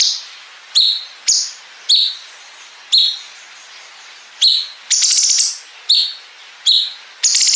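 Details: Bulbul (local name cungkok) song used to train competition songbirds, filled with long cicada-like bren phrases joined to ngepik notes: short sharp high chirps about once a second, with two dense buzzing trills near the end.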